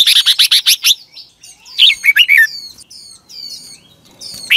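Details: Red-whiskered bulbul morning song from 2021, used as a lure to train other bulbuls in the fiery 'căng lửa' style: a rapid run of about seven sharp chirps, then warbled whistled phrases, with fainter high twittering behind.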